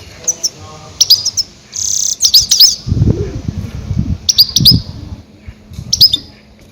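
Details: Loud goldfinch cries played to lure and catch grey-headed goldfinches: sharp, high tinkling chirps in short clusters separated by brief pauses, over low rumbling thuds and a faint constant hum.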